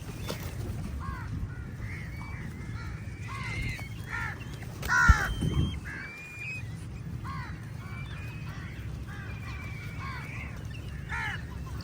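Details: A flock of crows squabbling with eagles over a meal; harsh downward-arched caws repeated in loose bursts, one loud close outburst near the middle, then scattered caws and a few whistles over a constant low background hum.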